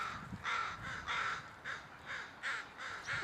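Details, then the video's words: Crows of a murder calling nearby, a run of about seven harsh, drawn caws repeated roughly every half second, steady and evenly paced. "A Crow Relaxes While The Murder Makes Noise"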